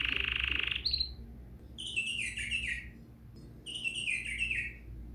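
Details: Bulbul song played to encourage other bulbuls to sing: a brief steady buzzing trill, then two bright, chirpy phrases, each a quick run of notes stepping downward, separated by a short pause, over faint low hum.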